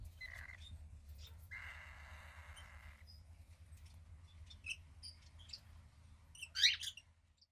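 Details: Cockatiel chick about 15 days old, female, offspring of a pied cockatiel pair and gray with a little white on the wings; a short rasp, then a longer harsh hiss of about a second and a half, followed by scattered soft chirps and a loud burst of squeaks.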